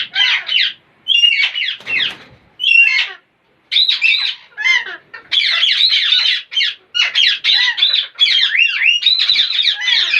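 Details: Parrots making weird sounds and funny noises: harsh, raspy squawks and chattering bursts, some short and clipped, others running together in long noisy strings.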